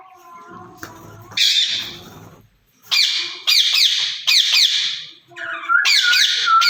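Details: Caged ringneck parrots, a pair said to be talking to each other, let out loud harsh squawks in quick bursts, with a low rough voice early on and a wavering whistle at the close.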